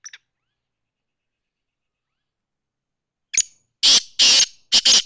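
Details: Black francolin (kala tetar) kept as a pet: after a faint note and a pause, a rasping call of a short lead-in followed by three loud harsh buzzy bursts, the last two close together.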